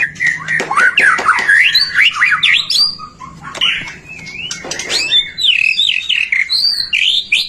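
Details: White-rumped shama in full voice, used to provoke song in other shamas: warbled whistles twisting up and down, scattered harsh clicks, and a pause before further looping whistled phrases.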